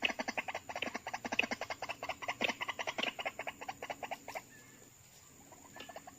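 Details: Croaking call train of white-breasted waterhens drawn in by playback for trapping, two birds coming almost at once; quick rhythmic harsh notes, about two per second, slowing and breaking off near the end before a few faint notes resume.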